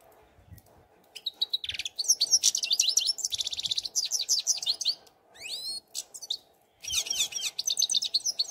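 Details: European goldfinch song: long runs of quick, liquid twitters and buzzy trills, with rapid sweeping notes repeated several times a second, pausing briefly before resuming.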